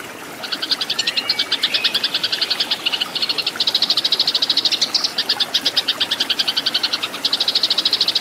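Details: Cage-bird training recording of Eurasian tree sparrow fighting song: sustained fast chattering chirps in long runs with brief pauses, harsh and high throughout.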